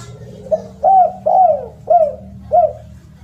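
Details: Spotted dove with a loud, melodious voice, recorded as a tutor for other doves: five mellow, hollow coo notes, each gliding slightly downward, spaced roughly half a second apart, over a faint low hum.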